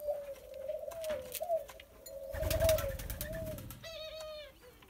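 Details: Barbary dove, a very tame young bird being friendly, cooing in a near-continuous low, gently wavering tone, with a rustling burst of handling noise midway and a brief higher whistled sound near the end.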